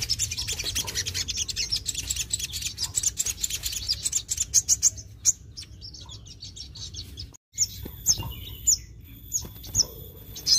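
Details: Sogon (crimson sunbird) singing in full 'gacor nembak' style, meant to provoke other sogon: dense run of thin, very high chirps and ticks, breaking after a pause into sparse sharp high notes with faint background chatter.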